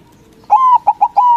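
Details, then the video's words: Single phrase from a loud-singing white local zebra dove, meant to trigger answers from rival doves: a long steady coo, two brief staccato notes, then a final sustained mellow coo. "Perkutut Putih Gacor Suara BESAR bikin Cepat Emosi Lawan Auto Nyaut Seketika"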